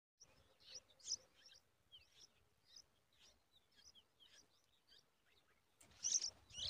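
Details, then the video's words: Hungry yellow-tailed bulbul chicks crying while their mother feeds them at the nest: short, high, sharp chirps repeated about twice a second, with a louder burst of squeaky notes near the end. "Mother yellow tailed bulbul babies are crying due to hunger and mother feed them"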